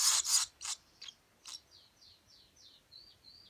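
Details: Swallow chicks being fed by their parents: a few loud, harsh, high bursts open the recording, then a series of thin, quick, downward-slurred chirps repeat about three times a second and fade away.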